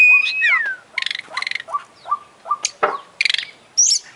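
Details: Oriental magpie-robin (kacer), an international champion contest bird singing constantly with a full imitation-filled song: a long clear whistle sliding down, rapid trilled bursts, short drop-notes around mid pitch and sharp high squeaks.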